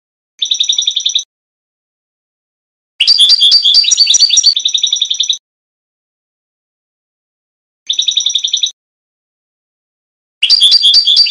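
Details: European goldfinch song in the Trnan style, from a 2020 CD: short bursts of fast, tinkling, high twitters separated by long silences, with a longer, richer phrase mixing buzzy and liquid notes midway.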